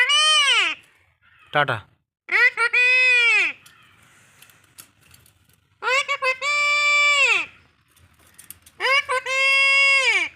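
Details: A talking pet Alexandrine parakeet, described as quarrelling, gives four loud, harsh, drawn-out voice-like squawks, each about a second long, with a brief sharp note between the first two.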